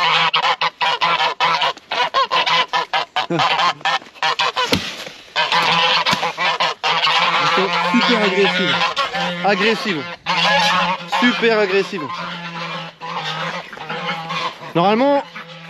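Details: Domestic guard geese at a farmyard in winter with some snow honk loudly and harshly in overlapping, repeated bursts, acting as the owner's alarm as people approach, with a man speaking and music behind.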